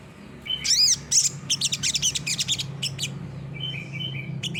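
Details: Olive-backed sunbird in 'gacor nembak' song used for master training: two shrill sweeping notes, then a quick string of sharp high ticks slowing to thin whistles, over a low background hum.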